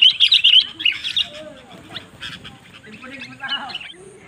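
A sooty-headed bulbul opens with a quick burst of bright, chattering chirps, then trails into softer scattered notes against faint background chatter.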